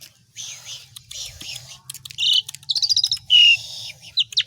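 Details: Asian pied starling in full song, recorded as tutor material for other songbirds: hissing buzzy phrases, then a fast run of bright repeated chips, a loud pure whistle and sharp squeaky notes, with a low hum behind.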